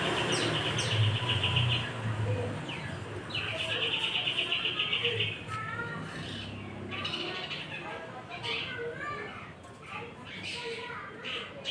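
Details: Shrike in lively song against a magpie-robin: rapid buzzy trills and chattering notes, then a varied series of short chirps and whistles, with a low rumbling hum early on.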